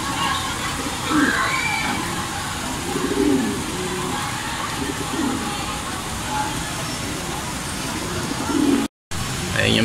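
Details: Racing pigeons back from race training out of Gapan, Nueva Ecija, during rain: repeated low throaty coos rising and falling every second or two, with constant rain hiss, brief voices and a short dropout near the end.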